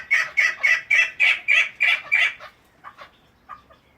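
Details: Kept chukar partridge giving a loud, rhythmic string of eight harsh chuck notes, about four per second, then a few softer, scattered clucks fading out.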